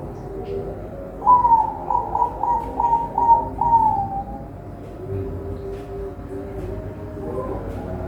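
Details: Zebra dove bred at a bird farm in Semarang, Indonesia: a loud run of about six ringing cooing notes, each with a slight downward slide, then softer, lower murmuring coos and a faint rise at the end.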